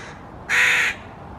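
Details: Young Hooded Crow sitting on a maple branch, Helsinki, Finland, in June 2018: a single strong, hoarse, noisy caw of roughly half a second, then near silence.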